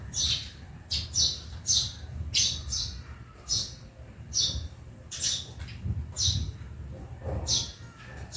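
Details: Sparrows in a backyard calling with clipped, high tweets repeated roughly every half second, with a soft low background hum.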